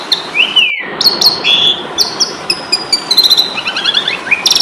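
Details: Asian pied starling giving a fighting song, recorded to spur songbirds: sliding whistles, sharp clicks, and rapid stuttering chatter rising toward the end.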